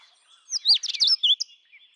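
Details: Indian robin singing: a quick burst of high, sweet warbled notes that swoop up and down, about one second long, with a faint thin note trailing afterward.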